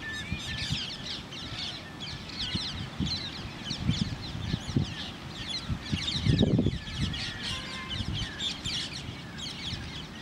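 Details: Common mynas (Acridotheres tristis), male and female, chatter in a busy stream of harsh, squeaky and gurgling notes, several per second, over low rumbling and handling noise.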